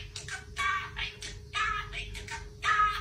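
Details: A pet budgerigar sings a mimicked human pop song in short, raspy, voice-like bursts of warbled syllables, with a steady low electrical hum underneath.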